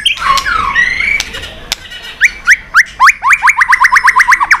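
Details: White-rumped shama singing in competition, with long forest-style phrases: softer slurred notes at first, then a quickening series of loud, sharp upswept notes repeated about twice a second or faster.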